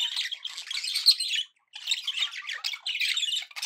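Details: Pet budgies in a happy mood, two bursts of busy, harsh warbling chatter separated by a brief silence.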